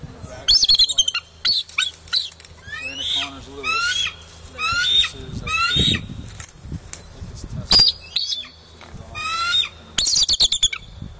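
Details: Bald eagle recorded on a phone, giving series of high, thin chirping and piping notes that descend in pitch, repeated in bursts every second or two, with some low background noise.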